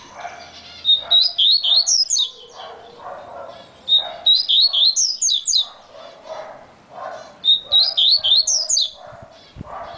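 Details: Yellow-bellied seedeater said to sing very fast, repeating a brisk phrase of slurred, high whistles roughly every three seconds, three phrases in all, over faint lower background chatter.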